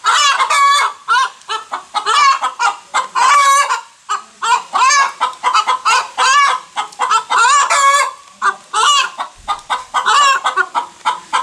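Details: Hen cackling just after laying an egg: loud, harsh, nasal clucks come in a steady, insistent stream, roughly two or three each second, rising into squawks.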